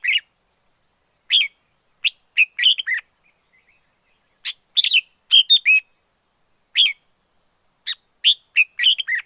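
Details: Wild red-whiskered bulbul delivering lively chirpy phrases. Clusters of three or four fast, sweet slurred notes, some dropping in pitch, alternate with short silences. A faint high steady tone sits in the background.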